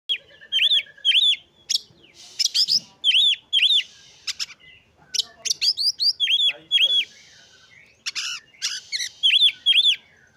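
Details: Oriental magpie-robin singing to provoke rival magpie-robins and raise their breeding urge: loud, varied whistled phrases with repeated rising-falling notes in pairs and triplets, sharp chips between, short pauses.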